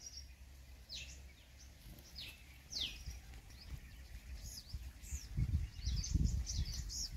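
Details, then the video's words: Purple sunbird calling at Ranthambore National Park, Sawai Madhopur district, Rajasthan, India: a handful of high, thin notes that slide sharply downward, given irregularly, with fainter high chips and low background rumble. "Purple Sunbird Sound"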